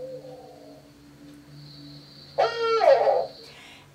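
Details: A captive male Barred Owl at an environmental education center gives one of its "strange" non-hoot sounds: a single harsh, wavering call about a second long, strained and nasal, over a low steady hum.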